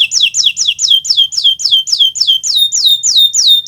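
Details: Kenari Nusantara canary gacor song for teaching birds to sing: a steady series of loud swooping notes, each rising then falling, about four per second, clean and unbroken.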